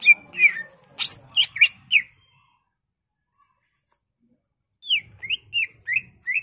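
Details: Greater green leafbird (cucak ijo) in full excited song for use as a lure or training master: a burst of scratchy chips and slurred notes, two seconds of silence, then a string of downslurred whistles.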